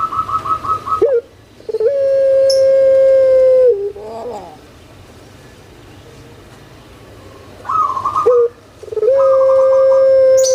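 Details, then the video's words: Loud puter pelung spotted dove in captivity: a rapid stuttered run of short notes rising into a long flat held tone, a pause, then the same stutter and sustained note again. "Suara MENGGELEGAR Postur JUMBO ( Burung Puter )"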